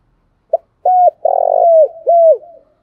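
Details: Caged decoy spotted dove cooing to entice wild doves: a clipped opening note followed by three loud, low coos, the middle one long and throbbing, each ending in a downward slide.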